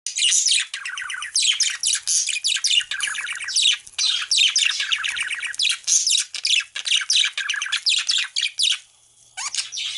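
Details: Australian parrots chirping as a busy flock, with dense overlapping high chirps and squawky notes in rapid bursts almost without pause, one short gap near the end.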